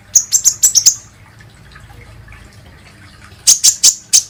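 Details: Lure recording of a kolibri ninja sunbird meant to prompt other birds to sing: two quick bursts of five very high, sharp tweets, separated by a quiet pause of about two seconds.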